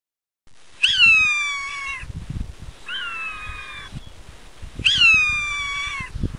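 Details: An endemic Galapagos hawk, Galapagos Islands, raising chicks, gives three drawn-out, strident, down-slurred screams about two seconds apart, with low wind buffeting underneath.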